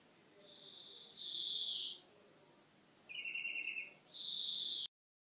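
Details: Greenfinch singing in a soft hiss: two long, harsh buzzy wheezes, with a shorter lower trilled rattle between them.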